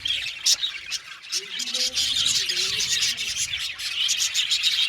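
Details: Australian budgerigars in an aviary colony chirping together: a dense, continuous chatter of high, scratchy chirps and squawks overlapping, with a few softer lower tones beneath.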